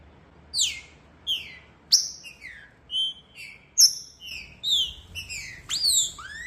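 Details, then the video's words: Female green-winged saltator (trinca-ferro) calls used to stimulate a male to sing: clear, high whistled notes, mostly sliding downward, given every half second or so, some overlapping at different pitches, one final note rising then falling. "Esquentando trinca ferro"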